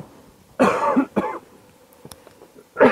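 A person coughs and clears their throat twice in a quiet room, with no animal calls.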